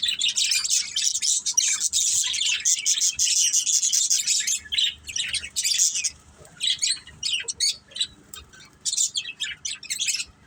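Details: Pet budgerigars in a family group chirping and playing: dense, scratchy high chatter and rapid twittering, continuous at first, then broken into short bursts.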